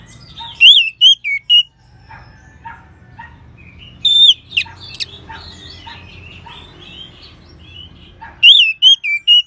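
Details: Song of an orange-headed thrush, used as a lure to get other birds singing: clusters of loud, looping whistles with softer varied chirps and twittering between phrases.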